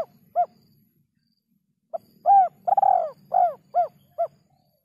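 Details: Spotted dove giving its three-note kuk 3 style coo, clean recording: a short soft note, a pause, then a phrase of rounded, hollow coos with one long rolled middle note and clipped closing notes, over a faint low hum.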